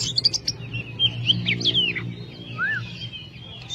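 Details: Kacer, the oriental magpie-robin, singing a sparse phrase of high slurred whistles and a single downward-swooping note, with steady low droning hum underneath.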